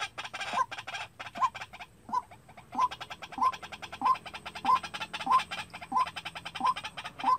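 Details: Decoy White-breasted Waterhen practising its call for trapping: regular kwak notes roughly every 0.6 seconds, partly masked by a dense, fast, rattling background chorus and faint low tones.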